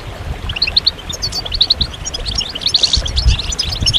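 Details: Group of European goldfinches calling and twittering, recorded to encourage goldfinches through moult and prompt males to sing. Rapid high chirps, often in pairs or triplets, repeat steadily above a constant low background hum.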